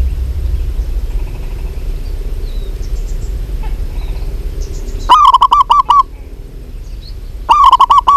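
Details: Soft high chirps of small birds lead into two loud bubbling coo phrases from a local zebra dove, possibly a female calling a male, about 2.4 seconds apart, the first slightly longer.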